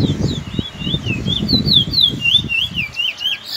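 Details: Young Trinidad bullfinch (chestnut-bellied seed finch) singing in the afternoon, a rapid run of bright, wavy warbled notes over steady low rumbling and knocking noise.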